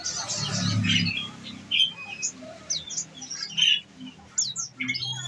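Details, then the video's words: Caged olive-backed sunbird kept on nectar, giving its rapid 'nembak' shooting-style song: sharp high chirps and short whistled notes in scattered bursts, with a noisy opening second and a low hum underneath. "Enaknya ngerawat konin !!! tinggal dikasih makan !!! bunyi nembak nembak deh"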